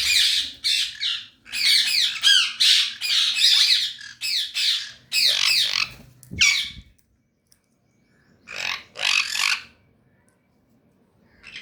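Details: Adult pair of pet sun conures in a rapid run of shrill, grating squawks, many bursts in quick succession, then a pause and a short second burst of screeches.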